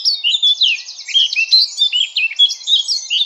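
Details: Eurasian blackcap singing a continuous rich warble of quick high chattering and scratchy notes, with rapid trills and short whistled slurs tumbling together without pause.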